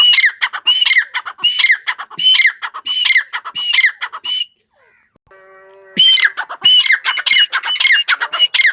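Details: Grey francolin, known as tetar, repeating loud, shrill, ringing phrases in quick rhythmic series, interrupted midway by a brief tonal electronic-sounding passage before the calling resumes.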